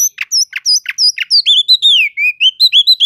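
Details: Oriental magpie-robin bait song, cele'ngan style, for stirring sluggish magpie-robins: evenly spaced double whistles give way to a quick chain of loud, sweeping whistled slurs falling and rising.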